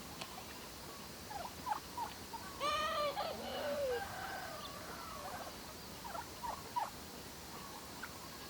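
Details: Farm turkeys foraging for food in the evening: a loud burst of stacked, wavering calls near three seconds with falling yelps after it, and short chirps scattered around them over steady background noise.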